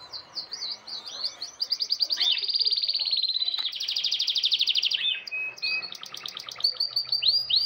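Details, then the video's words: Male canary singing vigorously to a red female in breeding season, caged: a long high rolling song of rapid buzzy trills and twittered notes, with steady pulsed rolls lasting several seconds and other birds chirping behind. "Biquinho nervoso estourando pra fêmea de vermelho"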